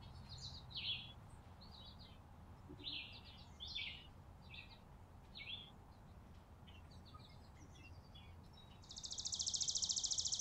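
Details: At a winter porch feeder in December, chickadees make spaced high chips and short tweets. A loud, rapid buzzy series of repeated notes closes the clip.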